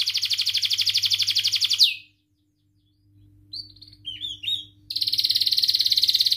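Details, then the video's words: Canary's long lure song for young canaries learning to sing: a fast trill ends in a downward slur, a pause, a few short twisting notes, then the rapid high trill resumes. "kenari gacor panjang Cuit Cuit EMOSI, Pancingan Kenari Paud Belajar Bunyi, terapi AMPUH Kenari MACET"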